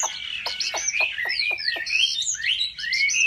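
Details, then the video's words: A Chinese hwamei trained at home sings in contest style: loud, clear whistles and sharp downward-slurred notes, five quick strokes in a row, then rising and swooping whistled phrases. "Họa mi hót đấu cực hay | Luyện chim họa mi tại nhà"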